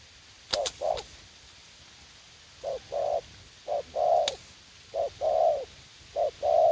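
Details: Young decoy spotted dove, eager to fight, used for trapping in a garden at U Minh; low hollow coos in short-long pairs, the first sharply clipped, repeated steadily, with a few sharp clicks near the start.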